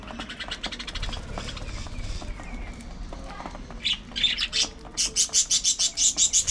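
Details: A group of budgerigars at early morning feeding time: light rustling and soft calls give way to a loud, fast run of sharp high chirps, about three each second, in the final seconds.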